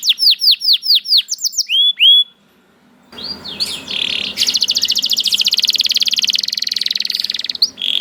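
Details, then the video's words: Canary said to sing as soon as it hears another canary: clear looping whistled slurs, a brief silence, then a sustained fast buzzy trill lasting several seconds over low background noise. "The Lazy Canary Sounds Immediately After Hearing the Sound of the Canary This One || Voice of Canary"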